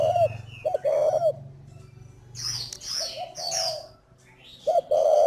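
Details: Spotted dove kept at a breeding farm in Ba Vì, Hanoi, northern Vietnam, giving low cooing notes in short phrases, broken by sharp rustling and clattering noises, with a steady low hum beneath.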